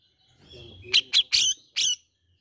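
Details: Grey-cheeked bulbul sound used to prompt birds into singing: four loud, short chirps in quick succession, the third drawn out slightly, after a faint whistle, with a low murmur in the background.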